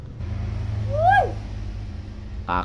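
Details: Tame hill myna imitating human speech, a single rising then falling harmonic syllable, followed by a short buzzy burst, with a person's voice repeating words nearby and low background hum.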